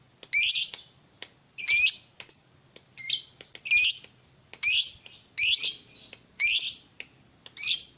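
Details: Lovebird of fighter type used to provoke singing: loud, raspy, down-slurred chirps repeated roughly every second, separated by brief thin high notes.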